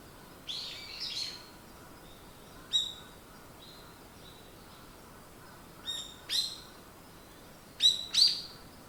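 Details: Birds in the morning giving scattered high, sharp chirps and short rising twitters, single notes and paired bursts separated by quiet gaps over soft background noise.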